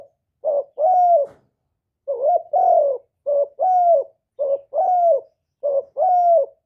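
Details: Spotted dove (cu đất) giving the gáy gọi calling coo in thổ voice, meant to spur other doves to coo: five low coo pairs, each a clipped note then a drawn-out, slightly rising-falling one, evenly spaced in silence.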